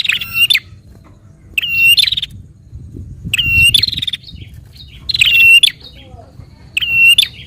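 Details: Prinia song meant to get a captive prinia singing: five loud buzzy whistled bursts, each trailing into a short trill, spaced about one and a half seconds apart, with a soft low rumble.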